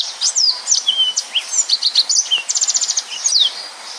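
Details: Yellow-fronted canary in full 'gacor' song of the 'nembak' style, dense and rapid, offered as tutor material for other songbirds: high sliding whistles, sharp chirps and a quick buzzy trill run near the end, with little pause.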